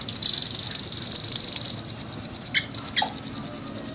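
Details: Continuous, fast, high-pitched rolling trill from a caged velvet-fronted nuthatch, briefly broken once, the notes pulsing rapidly and evenly.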